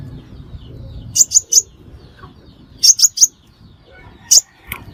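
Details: Crimson sunbird lure call used for trapping birds: three short bursts of two or three sharp, very high chirps, spaced irregularly over a quiet background.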